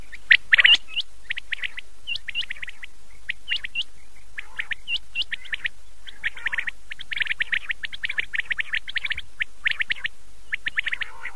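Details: Common quail calling at night, taken from an old cassette recording; dense runs of short, sharp, high chirps, some in quick clusters, repeated irregularly throughout with brief gaps between bursts.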